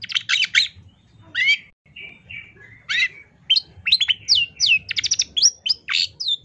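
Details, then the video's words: A long-tailed shrike pours out a rapid, varied song of harsh chatters, clear whistles and sharp rising and falling notes, packed closely together with brief pauses. "MASTERAN CENDET TERBAIK SEPANJANG MASA FULL TEMBAKAN"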